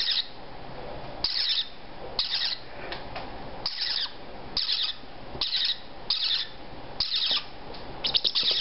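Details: Captive baby parrotlets, three to four weeks old, all female, head bobbing and starting to feed themselves: harsh, raspy hissing bursts repeated roughly every second, over steady indoor background noise.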